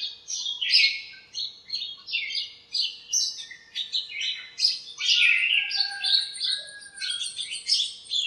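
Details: Backyard birds in a lemon tree greeting a cool, sunny morning with varied chirps; continuous high twittering made of short bright notes in quick succession, busy and overlapping.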